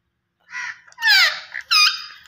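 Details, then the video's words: Australian parrot calling in three harsh, nasal squawks in quick succession, the middle one longest and sliding downward in pitch, the last sharp and strong. "Australian Parrot Voice Sounds"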